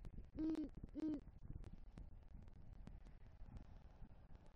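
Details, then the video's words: A male great horned owl enters the nest tree in Southwest Florida on a November 2023 night carrying a rodent and calls for his mate: two deep, level hoots about half a second apart, then scratchy clicking noise. "Male GHO Brings Rodent Prey To Nest & Calls For Female"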